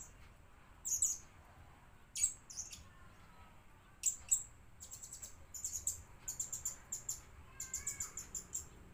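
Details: Blue-crowned hanging parrot lure bird calling with sharp high chips that build into a rapid, chattering series of thin squeaky notes, with quiet low background noise throughout.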